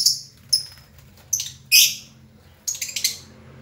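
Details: Lovebird giving scattered sharp, high chirps, single notes and short double squeaks spaced irregularly, with a quick cluster of three chirps near the end over quiet background hum.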